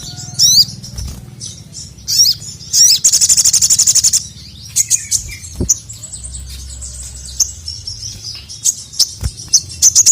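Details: Vigorous crimson sunbird calling the male, kept as a training recording for caged birds: high sibilant chatter in bursts, a long buzzy trill in the middle, then a string of quick, evenly spaced sharp chips.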